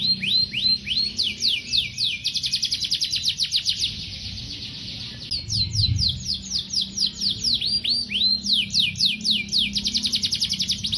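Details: Long canary training song meant to draw out young canaries and stalled singers: alternating falling whistled sweeps and quick rolling trills, with a short break midway before the bird resumes with more sweeps and rapid repeated notes.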